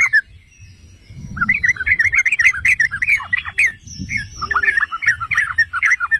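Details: Yellow-vented bulbul (trucukan) song used to goad other bulbuls into singing: rapid gurgling, chattering phrases in quick bursts after a short opening note, with faint higher whistles and low background rumble.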